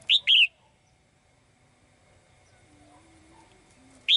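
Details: In a cage, a female bird sings to summon the male: one loud two-note chirp, rising then falling, followed by a long quiet pause before another note begins.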